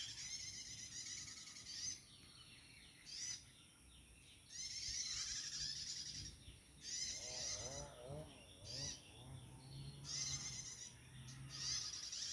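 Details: Bar-winged prinias in the wild, where many are said to remain: bursts of high, dense, buzzy chirping in short phrases about a second apart, with softer twittering notes in the middle and low background rumble.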